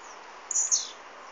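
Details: Blue-black grassquit song recorded on an Android phone: a single very high, brief buzzy phrase of two notes, the second sliding downward, over a steady background hiss.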